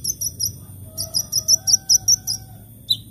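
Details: Lively sunbird singing in the morning: a rapid string of thin, very high twittering notes in a jerky rhythm, ending with a lower sharp chirp.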